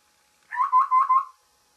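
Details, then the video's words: Morning call of a babbler, a quick run of four rasping, slightly buzzy notes on one level pitch, with nothing else audible around it. "Babbler's morning call"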